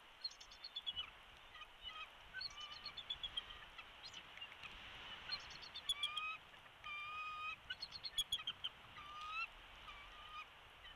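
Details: Bald eagle at the Big Bear Valley nest, live camera, 13 March 2022 near 12:22, chick recently hatched: rapid chittering bursts of short high notes, then longer squealing whistles rising at the end, over a constant hiss.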